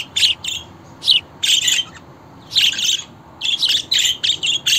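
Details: Budgerigar chatter: bursts of harsh, buzzy warbling and squeaky chirps, clustered in groups with short pauses between, the bird steadily voluble throughout.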